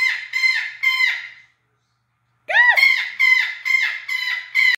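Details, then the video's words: A 47-year-old pet red-lored amazon, urged to give its "speech", gives a run of harsh, nasal squawks in quick bursts, pausing briefly before an upswept screech and more rasping notes. "Red Lored Amazon Parrot "Talking""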